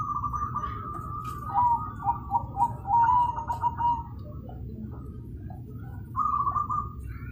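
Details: Loud cooing from a zebra dove: a trilled opening, then a burst of quick, bubbling, stuttered notes, a pause, and another short trilled coo. Faint low background noise throughout.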